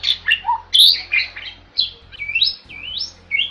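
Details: Bali myna, a rare white starling protected in Bali: quick harsh chattering notes and a loud squawk, then slurred whistles that sweep up and down.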